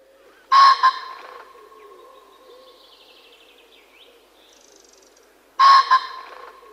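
A common pheasant gives two loud, harsh double-noted crows about five seconds apart. Thin, high bird calls are faint in the gap between them.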